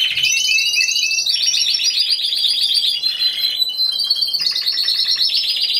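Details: Individual Timbrado Español canary in a singing contest, November 2015: dense, unbroken high rolling trills that shift pitch in several connected sections.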